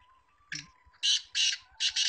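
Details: Female black francolin, trained and kept, calls with one short rasping note, then three loud grating bursts in quick succession. A low steady hum runs underneath.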